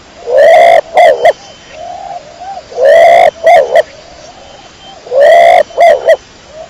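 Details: Kecor pigeon (burung dara) calling in loud, harsh, harmonic phrases: a long rising note and then two quick clipped notes, repeated three times about every 2.3 seconds, with softer wavering coos between them.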